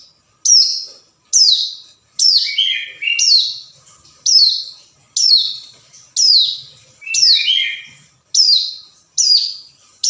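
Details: Hill prinia calling a rival, recorded as lure: a fast series of shrill, harsh, descending notes about once a second, with a few lower warbled slurs between them.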